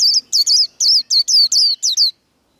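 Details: Short burst of white-eye líu fighting song: around nine loud, high, sliding whistles, several paired closely, each falling in pitch, ending abruptly in silence.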